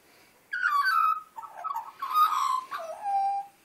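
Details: A wild Australian magpie wanting breakfast sings first: rich, fluting warbled phrases with bright overtones, sliding down between gliding notes in about four linked parts over three seconds, then a level closing whistle.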